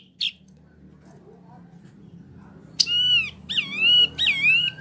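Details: Singing wambie, a small caged bird in full voice: after one sharp chip, loud clear whistles arrive as wavering, ringing phrases with strong overtones, over a steady low room hum.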